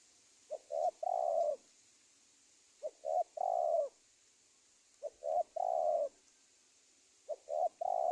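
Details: Spotted dove coos used as a lure for catching wild doves; four three-part phrases, two clipped notes then a long rolling coo, about every two and a half seconds, with constant high-pitched hiss.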